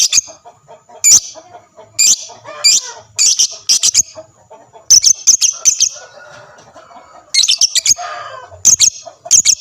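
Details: Chattering lovebird meant to set off replies from other lovebirds: bursts of shrill, sharp chirps and squawks in irregular groups, with softer low chatter between them.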